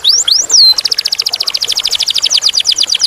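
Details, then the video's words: Canary singing in a clear voice: a few quick upslurred whistles, one long sliding note, then a fast even trill of short downslurred high notes, about seven each second. No other sounds intrude. "Kenari / Canary / Canarium ovatum (suara jernih)"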